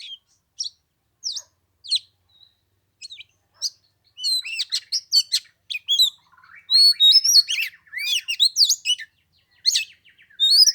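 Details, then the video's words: At the Lunar New Year, with a 15-degree chill, an oriental magpie-robin starts with sparse single chips, then bursts into a loud, continuous string of whistles, trills and slurred notes. "Chòe than mùng 3 tết cái lạnh 15 độ chơi 1 tiếng chim k xuống đánh"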